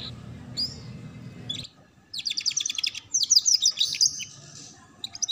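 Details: Canary master song, a ngeriwik-style lure for young canaries learning to sing: a quiet opening with faint chirps and a low hum, a pause, then bursts of rapid, high, buzzy trills and sharp chirps.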